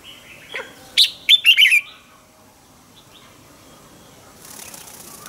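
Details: Red-whiskered bulbul decoy bird singing in the morning to draw other bulbuls into song, giving one brief burst of four or five quick warbled notes, then near silence with faint hiss at the end.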